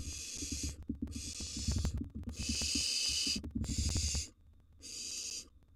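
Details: Loud breathy screeching hisses from wild barn owl nestlings during a nest box feeding frenzy, five bursts in a row with the last one quieter, over rustling and thuds.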